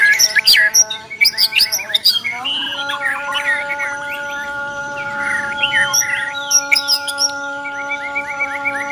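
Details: White-rumped shama of the Borneo type giving its fighting song: a dense, busy run of sharp chirps, slurred whistles and buzzy bursts over a steady humming drone with several even tones.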